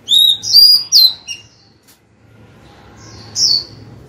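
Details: Caged female white-rumped shama singing to call the male, opening with a quick run of four bright whistled notes, then a long quiet gap with faint room hiss before one more rich whistle.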